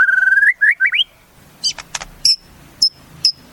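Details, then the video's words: White-rumped shama singing: a long steady whistled note, then three quick rising slurred whistles climbing in pitch, followed by sharp high clicks and short bright ticking notes with pauses between. "Suara Murai"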